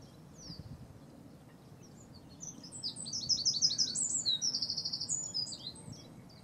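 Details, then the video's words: Territorial/courtship display song of a Cetti's warbler in Newport Wetlands Reserve: a sudden loud outburst of quick, evenly repeated sharp notes, then a second rapid run of identical notes, over low background hum. "Cetti's Warbler in Newport Wetlands: #1 Display"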